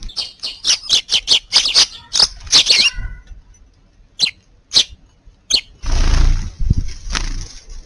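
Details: A sparrow under the eaves of a garden house around midday on New Year's Eve, 31 December, chirps in quick bright bursts, about three per second then scattered, with wind or rustling near the end.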